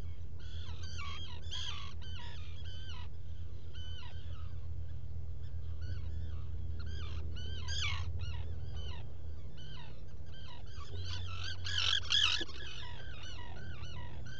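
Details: Black guillemot nesting burrow, Seal Island NWR, Maine, early morning of 07-05-2018, burrow camera: rapid, nearly continuous series of short, falling harmonic calls, about three per second, loudest around twelve seconds, with low background hum.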